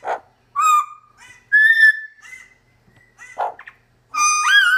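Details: Pet Double Yellow-headed Amazon parrot reacting to footage of himself, a Red-crowned Amazon companion in the background: clear whistled notes, some level and some rising, mixed with short gruff squawks.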